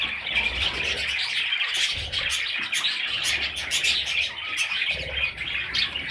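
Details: Parrot chicks keep up a bright, twittering chorus of thin chirps and rasping squeaks, with short low thuds in the background.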